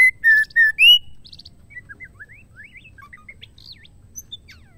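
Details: Loud whistled notes from a female White-rumped shama, a sound said to make male shamas sing. About four strong notes are followed by a soft scattered series of thin twitters and chirps.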